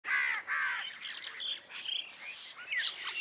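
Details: Common myna near Jal Mahal, Jaipur, India, in December 2021, with bank mynas nearby: harsh, raspy chattering bursts, then a jumble of squeaky, varied notes and a sharp rising squeal near the end.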